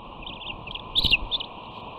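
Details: Young bald eagle at the West End nest on 13 June 2019, greeted rudely by her sister after dropping from the cam housing: a brief high chittering burst with a dull thump, picked up by the nest camera.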